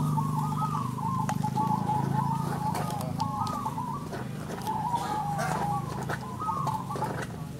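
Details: Zebra dove singing at a local bird-singing competition: repeated soft, rolling cooing phrases near the same pitch, several in quick succession, over a steady low hum and faint crowd noise.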